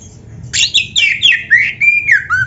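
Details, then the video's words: Oriental magpie-robin phrase of rich slurred whistles stepping downward one after another, each note sliding lower, ending in a soft falling whistle, against faint background hum. "SUARA MASTERAN BURUNG KACER GACOR ‼️ DENGAN FULL ISIAN MEWAH"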